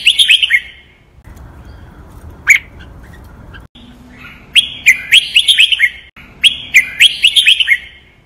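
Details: Red-whiskered bulbul singing Thai named song patterns (master pattern, rattan-drag, Pa La-u forest song) for training caged birds. Bouncy strings of clear whistled notes repeat as similar phrases, with a brief low hum between them.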